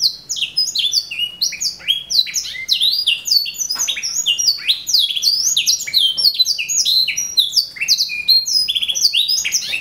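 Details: Caged canary, first-place winner of the semi-tutored canary class at a bird contest in Jakarta, Indonesia: continuous, rapid, high-pitched chirps and sweeping whistled trills pouring out without pause.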